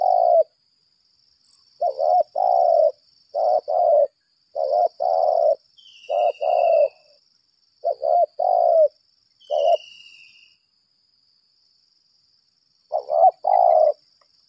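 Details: Caged spotted dove used as a decoy, of the lambung kuk type, giving a long contest-calling bout: repeated husky cooing phrases of two to three notes in bursts. A steady high thin whine runs throughout, with a few faint higher chirps.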